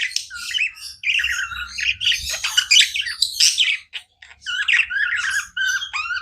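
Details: Nonstop budgerigar chatter: wavering warbled whistles mixed with raspy squawks and quick chirps, several birds calling over each other with only short breaks.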